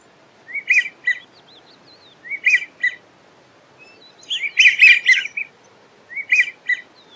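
American wigeon giving breathy, whistled two- to three-note phrases, repeated about every two seconds. A louder, overlapping burst suggests several birds calling together.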